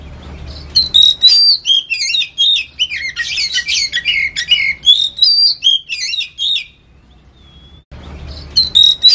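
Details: Oriental magpie-robin singing a steady "ngetem" song used as a trigger: rich, varied whistles, trills and chattering notes delivered in quick bursts, a brief near-silent gap, then the whistled phrases resume.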